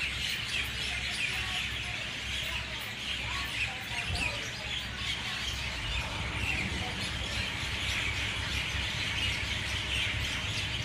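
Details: A dense 6:20 a.m. dawn chorus of mynas, a continuous wash of overlapping chattering, squawky and whistled calls with no pauses, over a low steady rumble.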